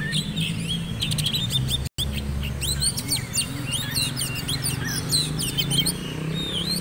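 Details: Oriental magpie-robin readied for black-and-white class song contests: bright whistled slurs, quick repeated chirps and short trills tumbling over one another, with a brief gap near two seconds and low male voices chatting in the background.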